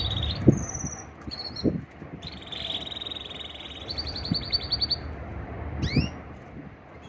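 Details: A male canary sings to a female in the 2024 breeding season: clear whistled notes, a sustained buzzy trill and rising sweeps, with soft knocks and background hiss.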